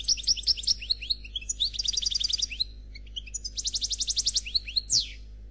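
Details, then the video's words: Goldfinch in Khalwi song delivery: quick upslurred chirps followed by fast even trills, short twittering notes, another long rapid trill, and a closing downward sweep, all high and clear over a quiet background. "Chardonneret Noir Khalwi Chant sans fautes"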